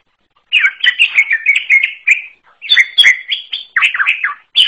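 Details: Song of a wild greater green leafbird, described as unique: rapid, varied warbled phrases of slurred whistles and chirps, delivered in two dense bursts separated by a short gap, with no other sounds.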